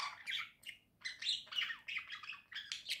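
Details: Pet budgerigars in cheerful song, heard as a quieter run of harsh squawky chatter and rasping notes, with a faint low hum behind them.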